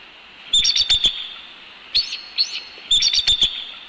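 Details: Bald eagles at a nest in Northeast Florida, recorded on 12 January 2019 by a nest camera: bursts of high, thin piping chirps, a quick series and then a pause, repeated three times over a quiet background.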